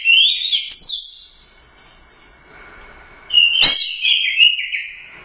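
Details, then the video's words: Royal Cup first-place orange-headed thrush singing gacor teler doyong: rapid twittering whistles leading into a long sustained high whistle, a pause, a loud click, then another drawn-out descending whistled phrase. "Suara Burung Anis Merah | GACOR Teler Doyong Juara I Royal Cup"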